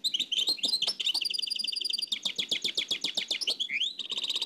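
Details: Nightingale song in the Oued El Alleug style, dubbed from an old cassette: a dense chattering stream of rapid clicks and trills with a rising slur near the end.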